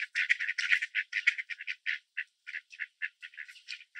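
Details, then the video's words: Mallard ducks in Southern Ontario, Canada, being fed bird seed on grass while males quack loudly and chase other hungry ducks; rapid run of short raspy quacks, irregular, nearly two per second, with no other clear sounds. "Mallard Ducks Quacking and Chasing Each Other - Duck Sounds"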